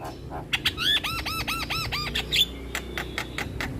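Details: Javan myna song in full 'isian' style, a tutor track for lazy singers: a run of six arched, ringing whistled notes, then scratchy clicks over a steady low hum.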